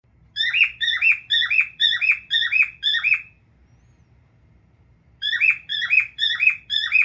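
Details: Pet male cockatiel that likes to sit and look at itself, living indoors with a family, gives six harsh, rising screeching calls in quick succession, falls silent for about two seconds, then repeats a run of five more.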